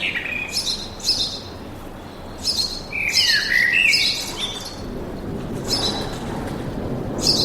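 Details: Chirping and whistling birds in a forest, with high notes repeating irregularly and a louder descending warble near three seconds, plus a low rumble of background noise in the later part.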